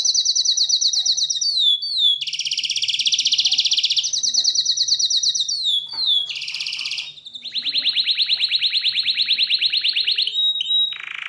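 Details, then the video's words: Varied canary song: high rolling trills, swooping whistles and chirps, a long full-bodied trill, and a later series of rapid clicking notes, all in quick succession with few pauses. "أجمل صوت تغريد كناري"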